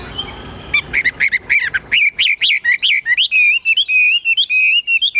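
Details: Loud 'cao cầu' singing from a caged, tame Chinese hwamei: a burst of choppy chattering notes that settles into a fast, even string of clear whistled syllables repeated several times a second.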